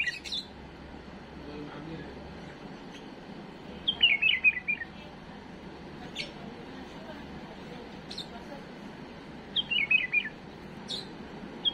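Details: Bulbul kept as a pet, giving a flawless song for teaching chicks: short cascading warbled phrases roughly every six seconds, separated by scattered high chips and long quiet gaps.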